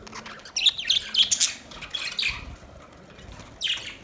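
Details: Several sliding, squeaky budgerigar chirps come in a burst, then a quieter stretch, then one more short scratchy flurry at the end.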